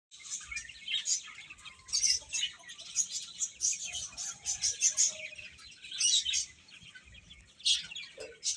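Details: Domestic chicken chicks chirping in a busy chorus of high, thin, overlapping peeps that come in short bursts with brief lulls between them, and no other sounds.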